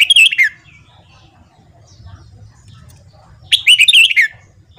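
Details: Red-whiskered bulbul morning song, used to train and stimulate newly caught bulbuls: two loud, quick warbled phrases of bright notes tumbling downward, separated by about three seconds of quiet with a low hum underneath.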